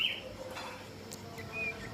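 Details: Two captive decoy Common Ioras, recently moulted out of season, give short, high, clear whistled notes, one at the start and another near the end, against a faint background murmur.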